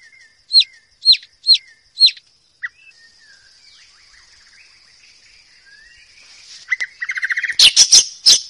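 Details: Forest white-rumped shama singing loud, melodious phrases: four clear upslurred whistles repeated about every half second, a short note, a quiet pause with a faint thin tone, then a rapid burst of buzzy trills and sharp chattering notes.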